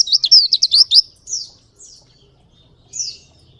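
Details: Oriental white-eye of the Ngalas type in ngerol song: a one-second rush of high, fast zigzag chirps followed by a few separate slurred whistles, over a soft low hum.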